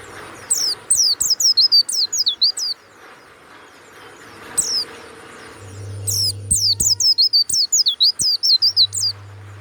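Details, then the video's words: Warbling white-eye, a caged songbird in Bali prized for a strong 'ngeplong' voice, pours out fast runs of high, looping, twittering whistles in two long phrases, with a faint low hum. "SUARA PLECI YANG MANTAP"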